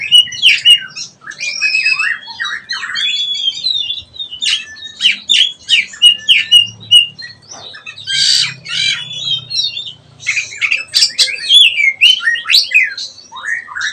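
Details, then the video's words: Young Oriental magpie-robin learning to sing: long continuous stream of varied whistles, harsh squawky notes and rapid chattering phrases, loud throughout with brief gaps. "KACER BELAJAR NGEPLONG"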